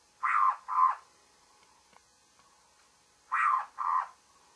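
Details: Babbler heard in the morning, giving harsh, nasal notes in pairs, two pairs about three seconds apart, with a soft steady hiss and small clicks in the quiet gap.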